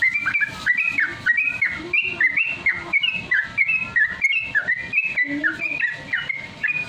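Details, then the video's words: Yellow-vented Bulbul song used as a lure to train caged birds to sing quickly in the rapid ropel style: bright whistled notes, rising and falling, packed in a fast continuous chatter of overlapping phrases, with low background murmur. "pancingan trucukan ampuh melatih trucuk biar Cepat bunyi Ropel"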